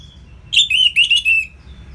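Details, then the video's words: Orange-headed thrush (anis merah) singing in the ngeplong style, used as a master song to stir lazy birds: a single bright, warbled phrase of rapid whistled notes, a little over a second long, over a quiet low hum. "ANIS MERAH Ngeplong Masteran Jahat Untuk Burung Yang Malas Bunyi Agar Lebih Gacor Selalu"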